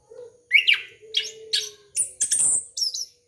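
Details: Lure song of an orange-headed thrush aimed at young birds, rising whistles and rapid chattering notes ending in thin very high squeaks, over a faint steady tone.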